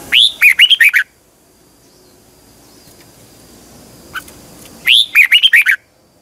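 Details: Caged red-whiskered bulbul singing a morning song in a double, twisting voice, used as a lure to train other birds: two bursts of about six bright, rising-and-falling whistled notes about four seconds apart, with quiet hiss between.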